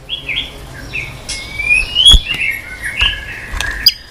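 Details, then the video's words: White-rumped shama singing long and continuously in many unusual voices, urged on to sing and flicking its tail; soft whistled phrases gliding between mid and high pitch, some rising and falling notes, with a faint low background hum. "chòe lửa hót cực bền.hót liên tục"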